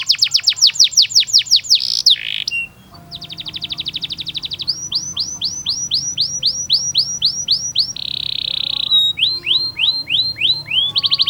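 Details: Canary master song for young birds: a rapid high trill, a brief harsh note, then a buzzy roll, a series of hooked whistles, a steady rolling tone and more quick whistles, with a faint low hum.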